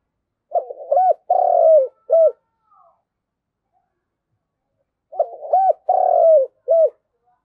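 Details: Decoy spotted dove calling to gather the flock, repeating its mellow phrase twice about five seconds apart: quick rolling notes, a drawn-out falling croo, then a short closing coo, with quiet in between.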